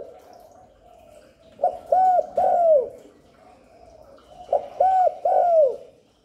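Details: Spotted dove coos used to draw in wild doves and rouse newly kept birds. Two phrases, each a short note and then two mellow arched coos, the last longest and sliding down, over a faint steady hum.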